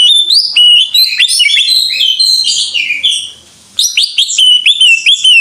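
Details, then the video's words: Greater green leafbird in full 'gacor' song, a dense medley of high whistles, chips and warbles, with a short pause before bright rising whistled notes resume. "Suara Burung Cucak IJO FULL Gacor"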